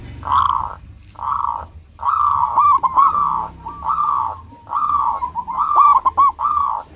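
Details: Local zebra dove in full song, used as a lure to draw rivals into answering: repeated bursts of rolling, hollow cooing notes, each phrase about a second long with short pauses between, over a low steady hum.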